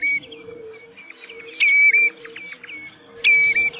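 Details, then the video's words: Common redshank (Tringa totanus) giving loud, ringing whistled notes, with a sharp descending piping call twice, over a softer run of high whistles and a low steady hum. "Odgłosy i Dźwięki jakie wydaje Krwawodziób"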